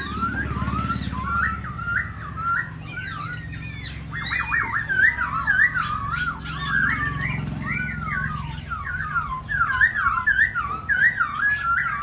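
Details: Captive khướu da bò laughingthrush singing while displaying: a loud, rich run of varied whistled phrases, bending up and down almost without pause, over a low steady hum.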